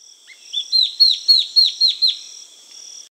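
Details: A dot-winged antwren (Microrhopias quixensis) gives a quick run of about eight high, arched whistled notes, several per second, over a steady insect drone.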